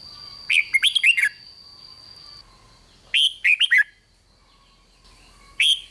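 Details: Red-whiskered bulbul song played to excite other bulbuls: two quick phrases of five or six loud slurred whistles about two and a half seconds apart, then a single note starting a third; faint thin tones in background.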